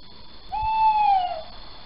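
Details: Little owl male calling in Sprundel on a January night in 2020, shortly after 01:00: a single drawn-out, clear hoot that holds steady, then sags slightly at the end, in near silence.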